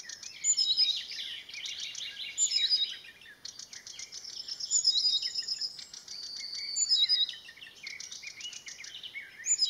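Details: Marsh warbler perched by a grove at Landsjön, recorded 16 June 2020, singing a continuous, fast, scratchy and varied high warble full of mimicked chirps, trills and short whistles, with brief pauses between long phrases.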